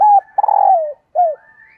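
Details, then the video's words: Hen dove giving her call to lure males, a three-part coo: short steady note, long pulsing note that slides down at its end, and a final short falling coo; faint high whistles behind. "Tiếng Chim Cu Mái Kích Trống"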